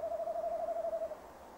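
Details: Male tawny owl at a nest box, evening of 15 December 2015, nest camera recording: a brief, steady, slightly tremulous low hoot lasting about one second.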